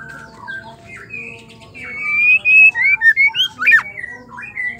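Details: Female white-rumped shama singing, a song used to stir males into singing: soft low whistles, then a loud run of rising, slurred whistled notes and sharp up-swept phrases, with a steady faint background hum.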